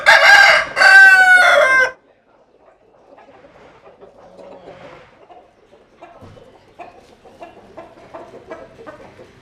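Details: Rooster gives a loud, harmonic crow in two bursts over the first two seconds, followed by quiet, scattered clucks and faint background sounds.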